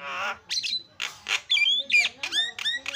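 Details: Javan myna recording used to prompt silent mynas to sing: a rapid jumble of harsh, nasal squawks mixed with clear whistled slurs, several phrases packed into three seconds.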